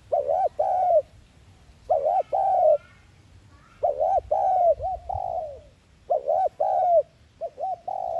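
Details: Spotted dove lure call for trapping, low mellow cooing in groups of two or three soft notes with a slight warble, each group about a second long and repeated every two seconds.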